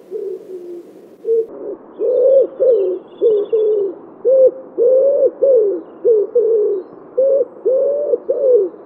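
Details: Common wood pigeon in Wittlich, Germany, in 2017, giving deep, husky coos in a rhythmic run of about a dozen notes with its familiar stressed phrasing, over a soft background hiss.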